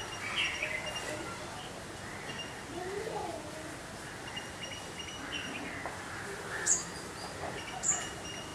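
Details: Female purple-rumped sunbird (Leptocoma zeylonica) giving a few thin, very high, sharp chips spaced about a second apart, over a steady outdoor hum with faint background voices and other birds.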